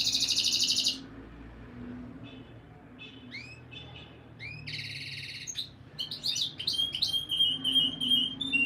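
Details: Canary song for stimulating breeding hens: a loud dense buzzy trill, a quiet gap with upward-slurred notes, another buzzy roll, then a busy run of sharp chips and high whistles.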